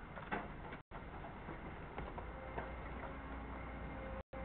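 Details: Faint ticking and tapping over a low background hum, with no animal calls.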